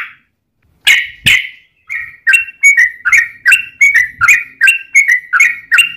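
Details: Lure recording of a lively yellow-vented bulbul meant to set other bulbuls singing. After a brief quiet start come two sharp loud notes, then a steady run of bubbly, slurred chirps about three per second.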